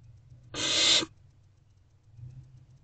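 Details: Hungry barn owl owlets in a nest box, waiting in the evening for their mother to return, give a single harsh, hissing rasp lasting about half a second, broad and noisy, against a low steady hum.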